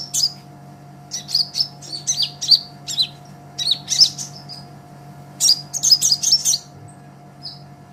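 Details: Lively song of a brown-throated sunbird (kolibri ninja) recorded as a training master for songbirds: rapid high chips and twittering phrases in clusters, ending in a short pause, over a faint steady hum.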